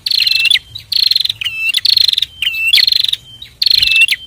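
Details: Bar-winged prinia pair in song, kept as a training recording for cage birds: long buzzy rattling trills alternate with looping chipped notes, repeated roughly every second with short gaps.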